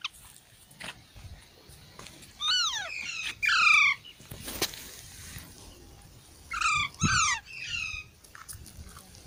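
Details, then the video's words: Baby parrots giving pairs of harsh falling squawks, separated by a quiet gap, against a hissing background with a few clicks. "Baby Parrots Sounds|Funny Parrot Sounds"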